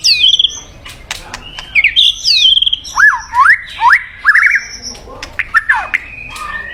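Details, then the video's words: White-rumped shama song used as a mate-calling decoy: a lively, varied run of high chirps, squeaky slurred whistles and rising upslurs, delivered in quick irregular bursts with brief gaps, over faint background noise. "เสียงนกบินหลาดง นกกางเขนป่า ใช้ต่อนกเรียกคู่เข้าเร็วมาก"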